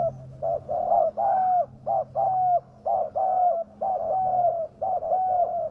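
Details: Spotted dove coos meant to attract wild doves: low soft notes alternating short and long, about one phrase a second, with a faint steady hum behind.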